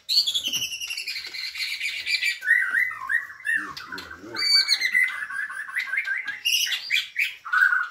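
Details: Caged white-rumped shama of Borneo, in full lively song: a loud, varied stream of whistles, rattling trills and buzzy phrases that glide and jump in pitch, with rapid note runs and rich warbled passages throughout.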